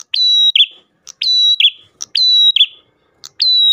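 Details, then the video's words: Ash tailorbird lure song: loud, clean phrases of a short tick, a long even whistle and a rough lower note, repeated roughly every second. "PRENJAK GACOR pancingan burung prenjak lain"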